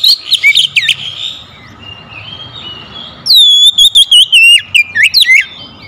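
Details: Oriental magpie-robin serving as a lure singer: a quick run of sharp notes, a soft quiet warble, then a loud descending whistle breaking into choppy repeated phrases, over low background noise.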